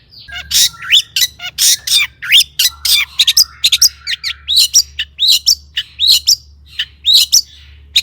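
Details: Long-tailed shrike song played as bait for other shrikes: a busy medley of scratchy notes, sweeping whistles and fast twittering phrases, some slurred downward, with a steady low hum underneath.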